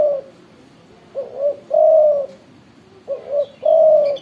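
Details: Big-voiced spotted dove (tekukur) calling eagerly; two complete phrases, each made of two brief rising hoots and a long, smooth, low coo, come about two seconds apart in a quiet setting.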